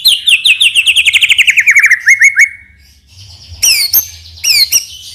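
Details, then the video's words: White-rumped shama lure song: a long fast trill of repeated notes descending gradually, a few separate whistled notes, then two short loud high bursts after a quiet gap. "PANCINGAN MURAI BATU NEMBAK ISIAN INI | SHAMA BIRD"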